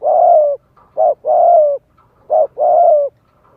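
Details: Spotted dove calling, used to stir up wild doves and train young birds' voices: low, hoarse coos in a long, short, long pattern, each long coo sliding slightly downward, repeated twice in a quiet setting.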